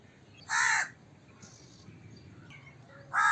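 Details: Crow giving a single loud, raspy caw, then quiet with faint thin bird sounds, and a second harsh caw starting at the end.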